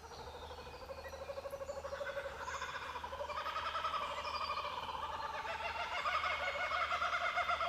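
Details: Laughing Kookaburras, in rainforest on a farm near an off-grid treetop cabin above water, give a rising chorus of rapid, rolling, chuckling notes that build louder and wilder over several seconds, with more than one bird joining in.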